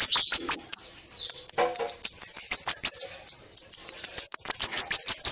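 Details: Bananaquit song in the "canto de foguear" style: loud, sharp, very high sibilant notes repeated about three times a second in a steady pulsing series, with one brief descending slur early on.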